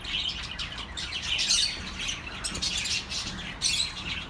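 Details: A group of birds twittering, offered as company for lonely pet birds: high, scratchy chirps and warbles with a loud burst around one and a half seconds and another near the end.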